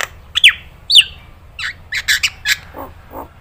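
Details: Nias hill myna in a training recording made for other birds to copy: two sharp falling whistles, then a run of short harsh squawks and a few lower nasal notes, over a faint low hum.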